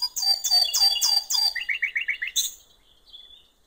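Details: Riverbank common nightingale: five loud, rich repeated notes, then a quick rattling trill of rising pips that fades into a soft high whistle.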